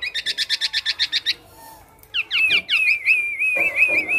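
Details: Singing male black-naped oriole mimicking other birds: a quick series of about ten clipped high notes, a brief pause, then descending chips flowing into a long wavering warbled whistle.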